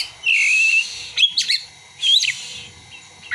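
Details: Oriental magpie-robin song including imitated prinia and sunbird calls: a long, steady high whistle, then a pair of sharp chirps and a short upward-slurred whistle over a faint hiss.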